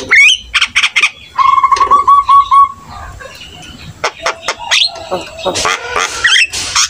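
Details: Singing Javan myna meant to make other starlings respond: a quick upslurred whistle, a rapid trill of repeated mid-pitched notes, then clicks and buzzy squeaks.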